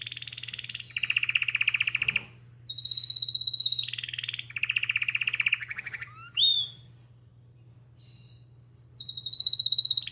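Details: Canary singing a long, rolling song of rapid trills, with fast pulsed rolls alternating with steadier high buzzy phrases, a sharp upward sweep and brief pauses, over a low steady hum.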